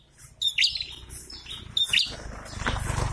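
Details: Breeding-season prinia, male and female duetting back and forth: two short bursts of high, sharp chirps, followed by rising background noise.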